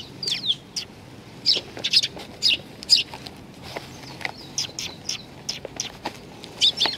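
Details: Several young sparrows crowd around food at the Tenmangu shrine in Nakanoshima, 25 May 2020; rapid, uneven high chirping, about two notes a second, with faint background noise.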